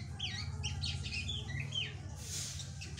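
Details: Young drongo gives a quick series of slurred, whistled notes, several swooping up or down, followed by a brief hiss, over a constant low hum.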